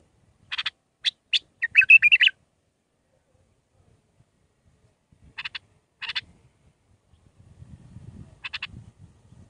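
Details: Bulbul giving Mandalawi-style song for training young birds: sharp single notes leading into a short warbled phrase, then a few isolated chirps, with a low rumbling noise toward the end.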